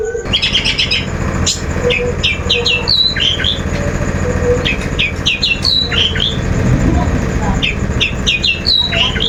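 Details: Long-tailed shrike lure song: clusters of quick, hooked high whistles and chips, some sliding downward, repeated in short phrases over a steady rumble of traffic noise.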